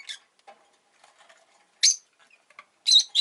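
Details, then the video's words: Rosy-faced lovebird, Agapornis roseicollis, giving short harsh broadband chirps in scattered bursts, with soft faint clicks and rustles between calls. "Lovebird Chirping Sounds"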